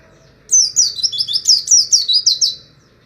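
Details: Wild-type 'ngalas Wit Wit' Oriental white-eye used as imitation training: a single lively run of about ten high, bright, down-slurred chirps delivered in quick succession, clean and without background noise.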